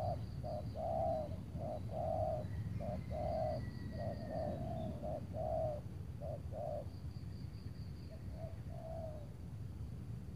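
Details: Spotted dove calling on a cloudy late afternoon before rain near Tangerang, during bird luring with a decoy; a short note then a longer mellow coo, repeated about once a second, over low rumbling background noise.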